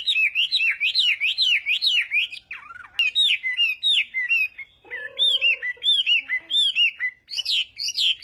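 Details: Chinese hwamei practising its morning song for voice training in fighting-song style: rolling, wavy whistles that rise and fall in quick succession, broken by a short pause and a few lower notes.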